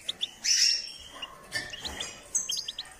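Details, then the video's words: Goldfinch in song training: scattered high chirps and brief twitters broken by short pauses, one bright whistled note near the start, then a quick run of clipped tweets toward the end. "Step by step enhancing the goldfinch’s singing"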